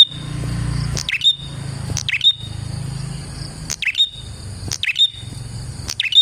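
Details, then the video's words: Prinia lure song: piercing chirps with a falling sweep and whistled end, roughly once a second, over a low rumbling background and a constant high drone. "KICAU BURUNG PRENJAK GACOR ini Manjur untuk PIKAT PRENJAK dan PANCINGAN PRENJAK KLAWU"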